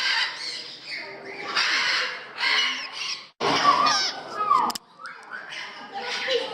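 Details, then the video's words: Harsh, grating parrot calls in Gdańsk, Poland, repeated in loud bursts with a short pause in the middle, and people talking quietly beneath. "Parrots in Gdansk, Poland"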